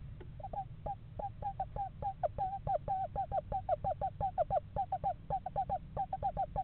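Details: Eastern screech owls, a pair scouting a yard nest box in November, give a long run of short, clipped, slightly falling hoots in quick irregular clusters, some notes doubled, over a steady low hum.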